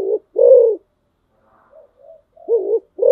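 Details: Spotted dove kept as a decoy bird, with low hollow coos at the start and end and soft quieter murmurs in the middle gap.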